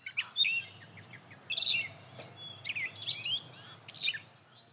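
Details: A gray catbird singing up in a tree in the field sings a jumbled, run-on string of squeaky, whistled and scratchy notes, each phrase different from the last, over faint low background noise.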